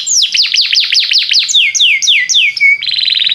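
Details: Belgian canary in full song, intended to get other canaries singing: a rapid run of steeply falling whistled notes, slowing and lowering, then ending in a dense high trill.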